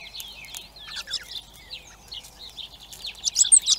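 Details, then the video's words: A busy scatter of high chirps and squeaks from hungry baby blackbirds at a feeder in Recke, Germany, building to louder, sharper piping calls in the final second. "Hungry Baby Black Birds"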